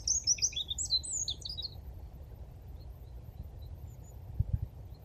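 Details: Eurasian wren singing its mating song on 17 February 2023 in the Dnipro river floodplain at Konche-Zaspa, Kyiv, Ukraine; a rapid burst of high, sharp trills and twitters lasting under two seconds, then low background rumble.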